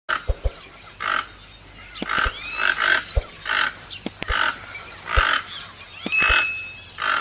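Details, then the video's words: Toucan giving short, harsh croaking notes in an irregular series, mixed with a few sharp low knocks and a thin steady whistle near the end. "Canto do Tucano - Ouça agora o Som do Tucano Cantando"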